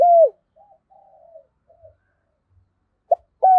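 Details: Spotted dove in rival-challenging, fast provoking calls: a loud falling coo, soft trailing murmurs and quiet pauses, then a sharp short note and the start of another strong level coo.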